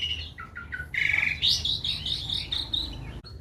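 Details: Morning song from a canary kept in a small aviary: a short run of quick chirps, then a bright, warbling burst of high whistled and trilled notes over a low background hum.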